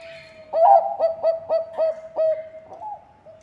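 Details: A lively Bangkok zebra dove, whose song serves as a lure to set other birds singing, gives a run of six or seven clipped, evenly spaced coos followed by a short rising note and a softer trailing coo.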